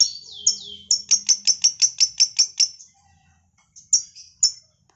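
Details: Long-tailed shrike singing a lovebird imitation linked with kapas tembak: a downslurred whistle, then about ten sharp, evenly spaced high chips, followed after a pause by two more.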